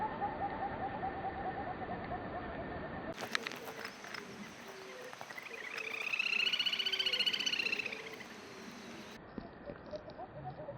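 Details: One of a pair of little grebes, calling when far away, gives a high, rapid, dog-like whinnying trill that swells and fades, among other bird notes.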